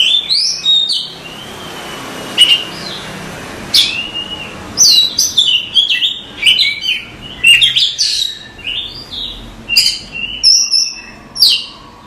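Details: Oriental magpie-robin singing a long masteran song for cage-bird training. Strong sweeping whistles, scratchy notes and fast chirps come in bursts every second or so and grow busier toward the end.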